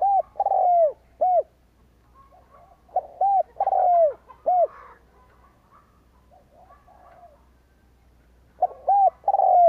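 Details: Decoy Spotted dove luring wild doves with repeated coo phrases: paired hollow notes, a long downward-sliding coo and an end note, heard three times with quieter low warbles in the gaps.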